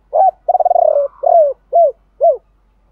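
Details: Spotted dove used as a decoy, cooing the 'three hậu' pattern with 'thổ pha' tone: a clipped coo, a fast throbbing rolled phrase, one long coo and two short arched closing notes.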